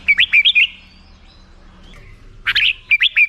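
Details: Two short phrases of bright, tumbling whistled notes from a black-crested bulbul, with a soft faint note in the quiet between them.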